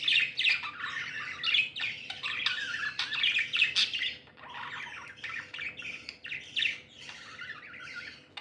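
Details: Pet budgerigars, described as happy, keep up a continuous mix of warbling chirps, scratchy notes and brief squawks, several birds overlapping in a steady chattering flow.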